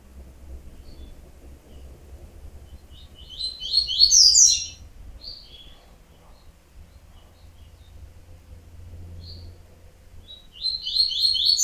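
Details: Yellow-bellied seedeater (coleiro baiano) giving two short bursts of high, rapid twittering notes several seconds apart, with a few isolated chips between them, over a low steady hum.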